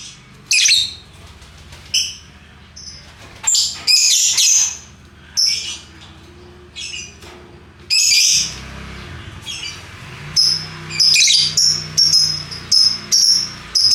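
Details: Lovebirds in assorted colours singing a lively ngekek: repeated loud, shrill, buzzy rattles and sharp squeaky chirps in bursts over fourteen seconds, some runs long and continuous, others clipped and rapid.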